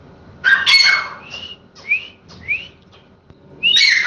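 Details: Grey francolin, known in Hindi as teetar, calls with loud harsh bursts and several clear rising whistled notes spaced about half a second apart, then a final loud burst.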